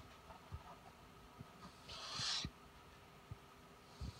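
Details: Spix's screech owl kept indoors, following a computer mouse cursor with its eyes; one short breathy, hissing rasp near the middle, then quiet room noise with occasional light taps.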